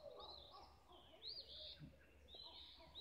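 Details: Sunrise birdsong in Olivehill, Tennessee: bright high warbling phrases rise and fall without pause, over a quieter layer of lower chirps.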